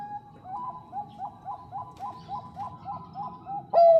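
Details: Bangkok-type zebra dove, a female calling to a male, gives a soft, even string of about a dozen short rounded coos roughly every quarter second, then breaks into one loud, long, slightly falling coo.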